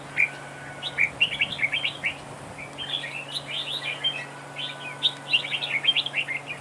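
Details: Red-whiskered bulbul singing as a decoy bird in a trapping duel, a rapid stream of bubbly, jumpy chirps and warbled phrases, loud and nearly continuous, over a faint steady hum.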